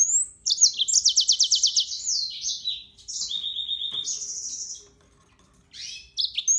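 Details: Yellow-fronted canary song: a fast rhythmic high trill, then a steady run of lower repeated notes and a long sustained whistle, ending in a brief chirpy burst.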